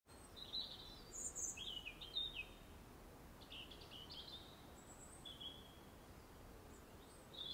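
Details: Aggressive robin singing in an English nature garden: thin, high warbled phrases, some sliding and some trilled, given in short bursts with brief pauses, over a steady low background hiss.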